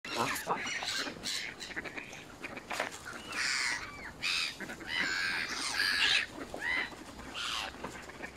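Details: Canada geese, recorded up close at Smith's Pool, Fenton, Stoke-on-Trent, UK, on 21 November 2021, give loud, nasal honks and squawks at an irregular pace, with other outdoor noise and possibly voices in the background.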